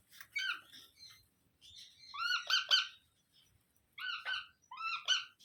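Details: Baby parrot giving harsh, harmonic squawks in short clusters, some doubled, separated by brief pauses, in a quiet setting.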